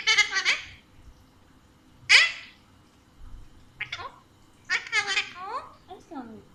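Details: Chatty Alexandrine parakeet kept as a pet and speaking Urdu/Hindi: bright, high-pitched squawky syllables mixed with mimicked word sounds, delivered in quick clusters of two to four with brief gaps, some phrases sliding downward at the end.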